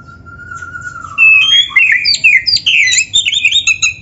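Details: Oriental magpie-robin (kacer) in training song: a long, low, steady whistle slowly falling, followed by a loud burst of quick, varied whistled and chirping phrases.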